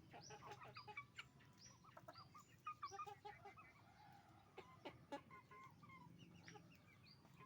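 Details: Roosters and hens calling on a chicken farm: busy mix of sharp clucks, squawks and high rising chirps from many birds, some louder bursts midway, over faint low hum.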